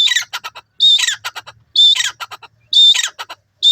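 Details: Grey francolin, locally called teetar in India, calling loudly: a shrill high squealing note followed by a rattle of short clicking pulses, the phrase repeated roughly every second.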